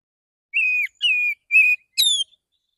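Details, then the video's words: Morning song of a male white-rumped shama calling others of its kind: three even level whistles followed by a higher, slightly falling fourth note. "Pancingan burung kacer jantan pagi hari suara santai panggil kacer lain"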